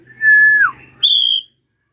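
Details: Ashy drongo used to prompt young birds to sing. One long clear whistle dips sharply at its end, then a higher pure whistled note is held briefly. Low room hum underneath.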